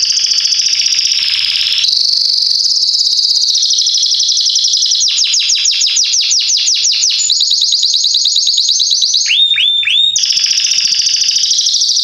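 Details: A Belgian Salsa canary sings loudly and without pause, recorded as a tutor song for chicks: high sustained whistles, then fast rolling trills and sharp repeated notes that change every second or two.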